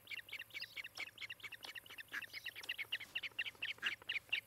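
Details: Osprey calling at a nest in Charlo, Montana, recorded by a nest camera on 18 July 2018 in the morning; quieter, uneven high chirps, some doubled and slurred, speeding into sharper whistled notes toward the end.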